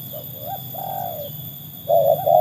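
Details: Spotted dove, a trained bird matched against wild doves. Two faint mellow coos, the second drawn out and falling, then after a pause two louder, steady hooting notes close together.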